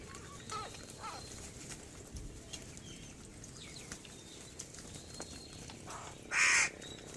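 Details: Feeding crows: after several seconds of quiet outdoor ambience with faint chirps, one loud, harsh, grating caw bursts out near the end.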